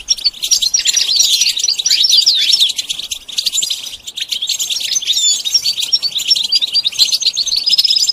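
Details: Continuous goldfinch song used for training: bright, quick twittering with frequent thin downslurred and upslurred whistles, steady and loud, without a break.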